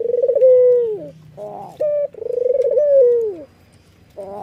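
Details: White red-eyed Barbary dove laughing and nodding; a descending rolling coo, then a rough burst and a short clear hoot leading into another pulsed, wavering coo that fades downward.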